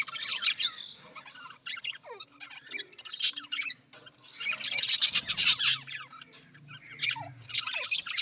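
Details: Budgerigars, Australian parrots, giving continuous high scratchy warbling chatter with squeaky chirps and rasping bursts, several overlapping in dense stretches and broken by short pauses.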